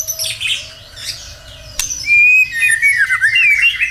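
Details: Singing white-rumped shama, a lure for getting other birds to sing: soft low whistle and faint chatter, a sharp click, then a loud clear whistle followed by a flowing run of warbled notes.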